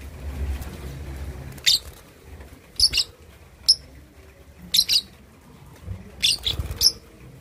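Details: Two-and-a-half-month-old lovebird practising ngekek chatter, useful for goading opponents: shrill doubled chirps repeated about every second after a quiet start, irregular in spacing, over low background hum.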